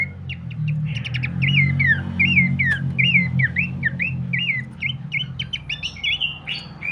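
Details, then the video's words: Pelanduk semak babbler song used as training material for cage birds: a continuous run of clear whistled notes sliding downward, about one or two per second, above a constant low rumble. "pancingan dan masteran terbaik mewah khas burung pelanduk semak"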